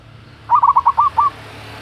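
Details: Local zebra dove, a female calling a male, played as a lure to get other birds calling: one quick phrase of about six short rolling coos on a nearly even pitch, lasting under a second.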